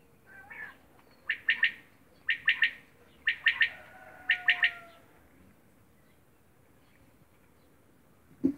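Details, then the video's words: Quail calling in Romania: a faint opening phrase, then four crisp three-note bursts, sharp and high, about one second apart. A thin sliding tone sounds once in the middle, and a single low knock comes after a quiet pause. "Quail sound Romania"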